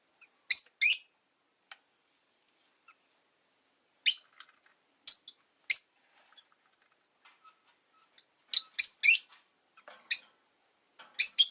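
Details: Rosy-faced lovebirds, five kept in a cage by a window on a relaxed afternoon, giving sharp, high, scratchy chirps in short bursts: a pair near the start, single notes around four to six seconds, then a busier cluster toward the end.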